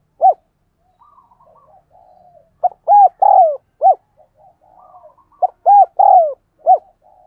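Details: Hurried cooing of a spotted dove, used to train decoy doves and attract wild doves: two runs of short clipped notes and arched low coos, each ending in a long falling coo, with soft murmurs between.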